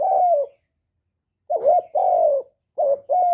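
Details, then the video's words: Spotted dove giving its calling and cooing notes: a drawn-out falling hoot, a pause, then quick wavering coos each followed by a steady longer hoot, loud and clear against silence. "Cu Gáy GỌI + THÚC + Gù"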